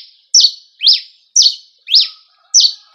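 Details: Rio Grande do Norte cravina singing campina style, loud high notes that slide downward, repeated about twice a second, five in a row, with a faint low hum in the background.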